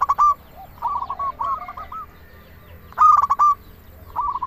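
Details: Zebra dove of local stock singing, used to stir quiet doves into song: staccato bursts of bright coos separated by murmured rolling coo phrases, with a second loud burst near the end.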